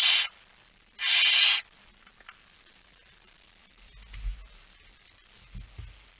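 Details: Male barn owl bringing a mouse, late night of 17 September 2019: two rough, breathy screeches in the first two seconds, then near silence with soft low knocks and rustles.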